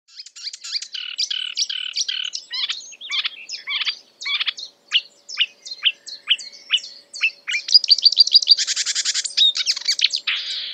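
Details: Marsh warbler singing a rapid medley imitating other birds: varied chattering, buzzy and whistled notes in quick succession, ending with a fast trill and a harsh rasping burst; no other sounds.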